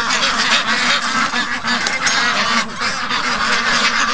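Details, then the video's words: Young farm ducks, 55 days old, calling impatiently at dawn to be let out after a late morning for their keeper; a steady wall of rasping quacks from many birds at once, several calls each second. "Morning Rush I Slept In & The Ducks Were Not Amused With This At All"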